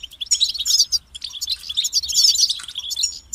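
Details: Bright, rapid twittering song of a European goldfinch kept in captivity, near-continuous high chirps and liquid trills with one brief dip before the final notes.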